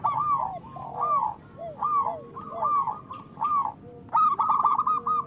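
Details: Local zebra doves in Indonesia, loud lure for trapping and for prompting quiet birds to sing: overlapping bursts of rapid soft coos, several birds calling, with lower arched notes between and a louder trilled phrase near the end.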